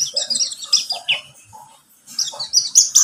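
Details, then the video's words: Pleci buxtomi white-eye song played to lure birds into singing: rapid, high, sweet twittering in quick chattering phrases, a brief pause midway, then more bright chirps and thin whistled notes. "Pancingan pleci buxtomi agar bunyi"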